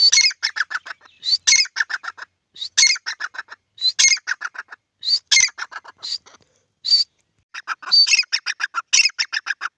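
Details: In a field, a pair of grey francolins (teetar) give loud, grating call phrases, each led by a shrill note and followed by rapid chattering notes, repeated about every second with short gaps.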